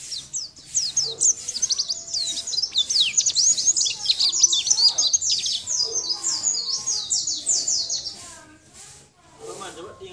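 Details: Sunda white-eye singing continuously, a champion bird's master song for tutoring others: an unbroken run of high, twisting, rapidly repeated notes lasting about eight seconds, with faint lower sounds underneath.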